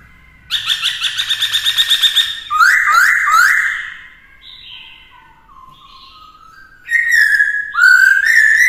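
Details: Caged black-throated laughingthrush training a young bird: a rapid stuttering series of notes, then strong whistled slurs, soft low glides, and loud rich phrases returning at the end.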